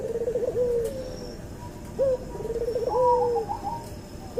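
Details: Crossbred cuhu dove, from a white albino puter and a puter pelung, giving soft, low coos with a bouncing start and a longer level tone. A second, higher coo follows after a pause. The calls sound quiet and distant.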